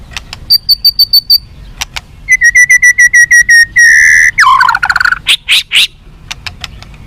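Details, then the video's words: White-rumped shama song played to make captive birds more responsive and fighting: a series of high piping notes, then evenly repeated whistles at a lower pitch, a buzzy rasping phrase and scattered clicks. "SUARA BURUNG MURAI BATU FIGHTER"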